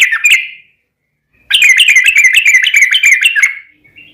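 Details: Sooty-headed bulbul song used as a lure to provoke other bulbuls into singing: a short burst of bubbly notes, a pause, then a rapid run of repeated liquid, warbling phrases lasting about two seconds.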